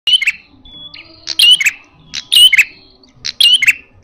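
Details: Red-headed prenjak (prinia) giving a loud, fierce fighting-style call: bursts of sharp, high chirps and thin whistled notes, roughly once a second, over quiet background.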